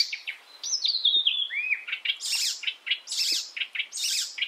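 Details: European icterine warbler singing, recorded as tutor material for songbirds: a sliding whistled phrase, then repeated scratchy chatters mixed with sharp high notes in a rapid, varied stream.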